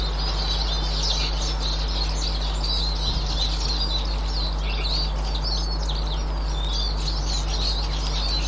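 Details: Eurasian siskin flock sound, 18 March 2024: continuous high twittering of quick chirps and wavering whistles, with a brief low thump near the middle and steady hum.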